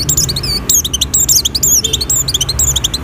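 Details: In breeding condition, an Oriental white-eye sings to attract other white-eyes: dense, fast, high-pitched twittering with sharp slurred chips tumbling together in a continuous chatter.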